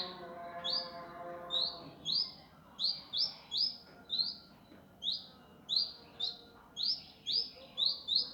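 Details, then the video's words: Master training recording of an indigo singing in a coarse, rapid style: about fourteen bright, sharp chirps in eight seconds, each quick and upswept, coming in pairs and singles, with a low murmur behind. "masteran burung indigo gavor kasar speed rapat"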